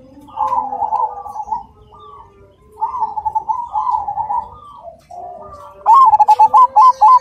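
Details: Perkutut cemani, the zebra dove, cooing rhythmically: several soft, rolling, mellow coo phrases from birds further off, then a near bird delivers a loud, clear, stuttering series of short notes at the end.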